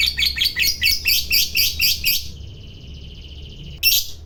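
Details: Fighter lovebird giving a long chatter said to provoke other lovebirds: a fast rhythmic series of harsh, buzzy chirps about eight in two seconds, then a steady high drone and a sharp squeak, over low background hum.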